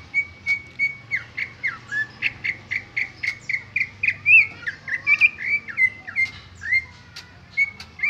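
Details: Original song of a greater green leafbird, free of mimicked fill-ins: a loud, fast series of whistled notes, some flat and some dipping or swooping, roughly three per second, building into a busier warbling stretch.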